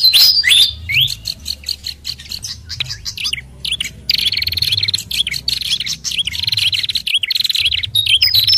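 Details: Lure recording for fantail, blended with hill babbler and red-headed prenjak calls: a brief high whistled flourish, then long stretches of fast buzzy chattering notes with wavy looping whistles repeated steadily.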